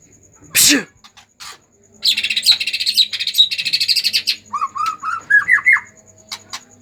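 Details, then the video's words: Agitated white-rumped shama singing to stimulate other shamas. After a sharp knock, it gives a dense burst of harsh, rapid buzzy chatter, then a short series of clear whistled notes that climb higher step by step. "pancingan murai batu emosi"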